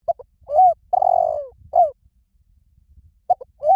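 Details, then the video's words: Spotted dove cooing to lure wild doves in quickly. Short soft notes lead into a long, throaty, slightly falling coo and a clipped final note. After a quiet pause the phrase begins again. "Tiếng chim cu gáy kích mồi gáy gọi bổi nhanh về cội"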